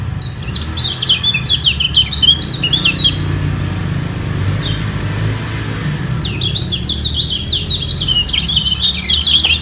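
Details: White-eyes in a vocal contest over the top position, neither yielding; rapid high twittering bursts at start and end, separated by a few thin chirps, over steady low rumbling noise like traffic.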